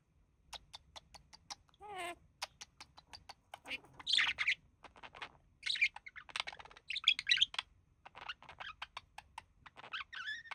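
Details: A couple of budgerigars relaxing, with the male mimicking human speech: steady ticking clicks, a quavering descending note, then long stretches of rapid chattering warble and squeaks, ending on wavy whistled notes.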